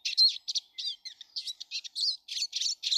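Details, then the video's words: Eurasian siskins, many visiting a garden daily in March 2013: a dense, continuous stream of high twittering notes, buzzy trills and short squeaky whistles, delivered in quick bursts with brief gaps, no other sounds. "Iedere dag nog veel sijzen (siskin, carduelis spinus) in de tuin."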